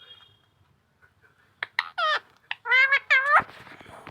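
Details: Pet talking parrot mimicking words said to be "mummy" and "papa": after a quiet start, a run of loud, harsh, harmonic syllables in quick bursts, ending in a rough, noisy tail.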